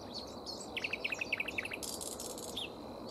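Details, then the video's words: Common Whitethroat foraging on a tree's leaves and flowers gives a brief scratchy warble: a quick run of chipping notes, a harsh buzzy burst and a final thin note, with a nightingale singing nearby, over steady hiss. "Серая славка. Grey Warbler"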